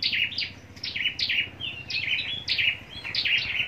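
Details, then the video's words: Scarlet-backed flowerpecker raised for contest singing in Long Thành, Vietnam: roughly six bright, high descending notes spaced across a few seconds over a low background hum. "Chim Sâu Đầu Đỏ Hót Đấu"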